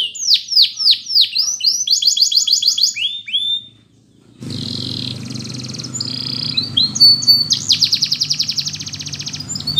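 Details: Russian canary flute singing used for training: rapid high trills and sweeping repeated notes, a brief pause near the middle, then buzzy trilled tours resume over a low steady hum.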